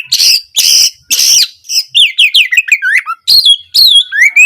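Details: Oriental magpie-robin singing in full gacor style, recorded as a master to stir sluggish birds into song. Opens with three harsh rasping bursts, then quick liquid whistled notes sliding up and down, ending on a rising whistle.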